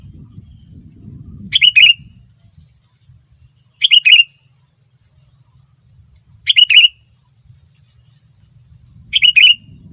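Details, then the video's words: Sooty-headed bulbul song, a male's lure recording meant to make other bulbuls respond. Short bright burbled phrases come roughly every two and a half seconds, four times, with faint low background rumble between them. "Kutilang Super Gacor Full Isian Mahal, Semua Burung Kutilang Ikut Nyaut dengan pancingan ini"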